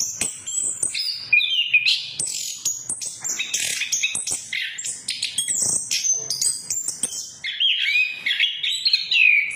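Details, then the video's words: A continuous, busy song from an orange-headed thrush, used to coax stalled birds into singing. Shrill whistles and twitters shift constantly, and a run of lower warbling, rising and falling notes closes the passage. "Pancingan Anis Kembang Macet, Anis kembang Macet Bunyi"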